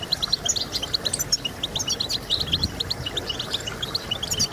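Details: European goldfinch song, played to stimulate singing in birds kept by breeders: dense, rapid twittering of high, tinkling chirps, several voices overlapping continuously with no pauses, over a faint low background hum.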